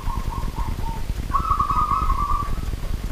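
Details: Local wild zebra dove singing at night: a few short trilled coos, then a long rapid, rattling trill held for over a second at a steady middle pitch, over a constant low rumbling background.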